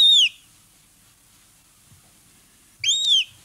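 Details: Two lesser black-backed gull chicks only two to three days old beg up close with two clear, high whistled notes, each arching upward then falling, separated by a long silent gap.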